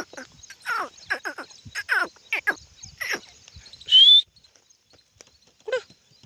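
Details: Grey francolin heard on a morning walk giving harsh, descending, scratchy notes in quick bursts, then a sharp rising whistle. A faint steady high hiss runs underneath.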